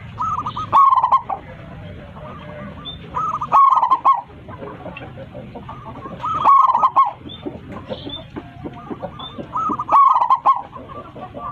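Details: Gacor local Zebra Dove calling to its flock with a big voice. Four phrases, about three seconds apart, each a fast stutter of notes ending in rolling coos, with softer coos in between and a low rumble beneath.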